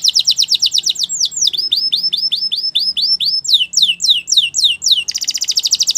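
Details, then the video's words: Belgian canary singing for training young canaries: fast, even trills of bright high notes, shifting through several rolled phrases of rising and falling sweeps, ending in a dense buzzy roll. "Belgian Canary Singing"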